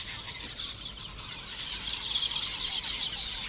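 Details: Lesser masked weavers at a busy breeding colony in thorn acacias: a dense, continuous wash of high, buzzy, chattering calls from many birds at once, overlapping with no pauses.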